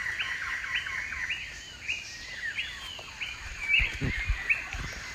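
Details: Scaly-breasted partridge, also called green-legged partridge, feeding and drinking in forest during the rainy season; a series of loud rising whistled notes around mid pitch, repeated roughly every half second, with steady background insect hiss and a few soft thumps.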